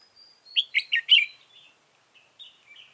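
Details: Decoy red-whiskered bulbul at a trap, 15 November 2017, gives a thin drawn-out whistle followed by four bright, bubbling chirped notes, then softer trailing twitters; no other sounds.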